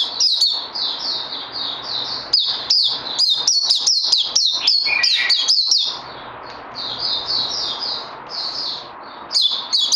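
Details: Songbird in training after Covid-19, recorded 18 May 2020, pours out rapid high-pitched chattering twitters in quick bursts, pausing briefly midway before resuming softer, then loudly again at the close.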